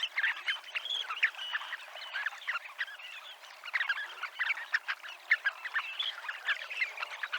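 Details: Dunlin flock at the promenade of Abruñeiras, Ría de Noia, keeping up a steady murmur of short chattering calls, many birds overlapping, with occasional louder peaks.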